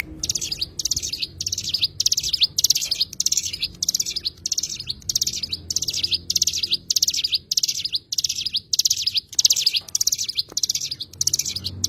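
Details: Oriental white-eye, known locally as cigun, singing a long run of short, high, buzzy twittering bursts, roughly twenty in twelve seconds, each a dense chirpy cluster with faint low background rumble.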